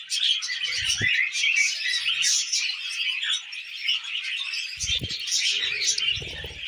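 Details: A flock of tamed pet budgies munches millet amid nonstop chirpy warbling and squeaky twitters. Short low thuds are heard near the start and again toward the end.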